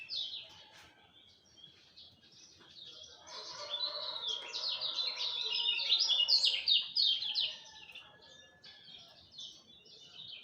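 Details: At dawn a lemon-bellied white-eye delivers a long, rapid stream of high, jumbled chirps and trills, swelling to a dense burst in the middle before fading into scattered notes.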